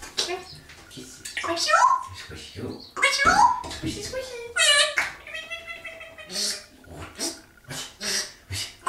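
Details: A pet African grey parrot chatters in the morning in a stream of mimicked words and short phrases, mixed with clear whistles and squawks, over the steady hiss of a running shower.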